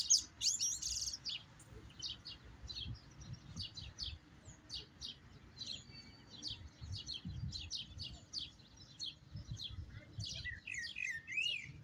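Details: European goldfinch singing a long run of quick, dry chirps repeated roughly three times a second, ending in a tumbling twittered flourish; faint low hum beneath.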